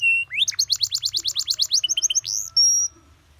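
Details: Canary (kenari paud) master song for teaching other birds, cengkok style: a long, loud run of rapid, evenly repeated rising sweeps forming a fast trill, then a few paired notes and a steady, pure high whistle.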